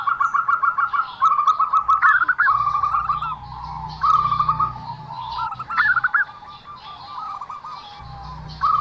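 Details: Strange zebra dove call: long runs of rapid stuttering mid-pitched notes broken by higher flicked notes and rolling phrases, with a low mechanical hum in the background.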